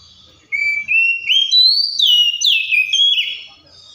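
An Oriental magpie-robin sings a loud, sweet run of clear whistles, stepping upward in pitch, then tumbling down through slurred notes over about three seconds.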